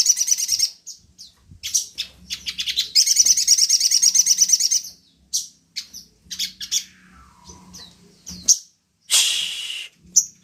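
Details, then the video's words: Sogon song used as a lure to provoke other birds into singing: bursts of high, dense chirping, including a fast buzzy trill lasting about two seconds, then scattered short chirps and a sharp, harsh note, over a faint low hum. "pancingan burung sogon"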